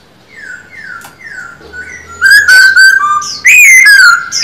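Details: Male silver-eared laughingthrush kept in a cage for song practice: soft descending whistles build into loud, rich warbled phrases with bright slurred notes and quick high flourishes.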